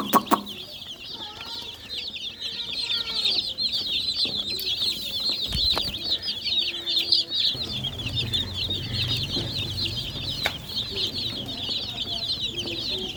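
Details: Many baby chickens keep up a constant high, twittering peeping chorus; a low rumbling noise joins in the second half, with scattered clicks throughout.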